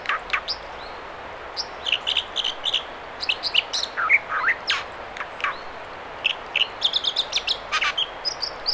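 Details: American dipper at the Mamquam River spawning channels near Squamish, British Columbia, singing a lively medley of clear whistled phrases, short downslurs and fast high-pitched trills, backed by the steady hiss of running water.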